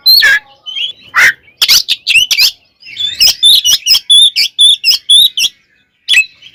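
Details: Oriental magpie-robin in fighting song that provokes other birds into emotion, loud ngeplong style: sharp high whistled notes, then rapid repeated clear whistles steadily paced, ending with a final burst after a short pause.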